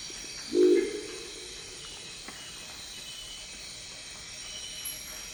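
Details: Deep croaking growl of a Crested Owl in Amazonian Ecuador, one brief gruff low note near the start followed by several seconds of quiet forest with continuous high-pitched insect buzzing and a faint click.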